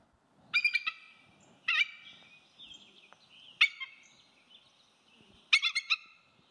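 A Bald Eagle gives four bursts of high, thin, chattering notes, each a quick stuttering run, about every two seconds, sounding more gull-like than fierce.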